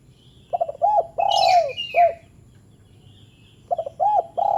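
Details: Short spotted dove call meant to get lazy doves calling: quick stuttering notes leading into rolling coos with a long middle coo, repeated after a pause, with faint higher chirps from other birds.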